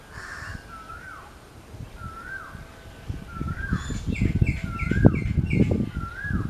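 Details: In a forest, a jackdaw gives short, bright 'kyow' calls, roughly one a second, then quicker, higher notes toward the end, over a steady low rumble of wind.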